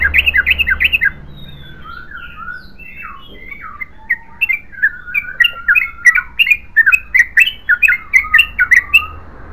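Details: Yellow-vented bulbul in 'ropel panjang' song: a fast burst of bubbly notes, a near-silent pause of about two seconds, then harsher, squawky chattering phrases building back into rapid continuous song.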